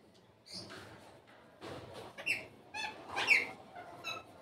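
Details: Indian ringneck parrot let out of its cage, melodious voice; short screechy squawks and chattering notes, loudest near 2.3 and 3.3 seconds, with soft background noise.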